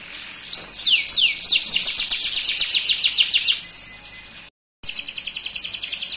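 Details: Song of a dark male canary: after a brief quiet start, loud high slurred notes turn into a rolling trill that fades out. A short silent break follows, then a dense buzzy trill resumes.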